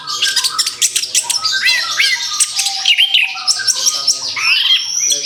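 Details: Orange-headed thrush singing after its moult: a dense, fast stream of sharp clicks, chirps and warbled slurs, with steady lower whistles in the background.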